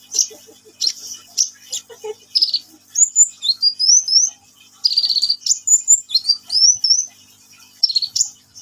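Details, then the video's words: Sunbird in lively song: scattered sharp high chips, then long phrases of rising and falling whistled notes strung together rapidly, with a buzzy rattling burst in the middle and more chips at the end. "KICAUAN BURUNG KOLIBRI NINJA GACOR"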